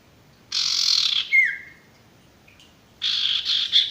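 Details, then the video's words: Male sirtu bird used to train stressed or non-singing birds: harsh buzzy bursts under a second long, a brief sharp whistle sliding downward, then another buzzy burst after a pause. "masteran burung sirtu"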